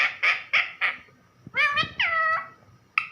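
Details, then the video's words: Pet parrot calling for its owner, a mix of short harsh squawks repeated about every quarter second, then longer harmonic honking notes that bend downward and level off, with a final brief squawk. "मिट्ठू मम्मी को बुला रहा |parrot calling mummy"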